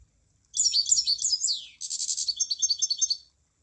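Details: Munia song: two high, thin bursts of rapid twittering and buzzy trills, the first ending in a slurred downward sweep, the second a run of pulsed chatter. The background is otherwise quiet.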